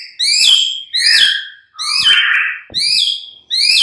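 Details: Mid-morning white-rumped shama lure recording: five loud, ringing downslurred notes with harsh edges, each lasting about half a second, repeated steadily with short gaps.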